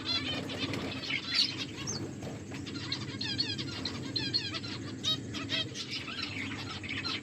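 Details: Finches eating chirp in short high twitters, including clear runs of rapid, evenly spaced downslurred notes midway, amid wing fluttering and a low droning hum.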